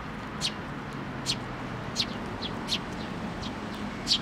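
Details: Young sparrows flying in to be fed at a Tenmangu shrine, recorded 25 May 2024; short high chirps spaced roughly every second, thin and sharp over a steady background hum.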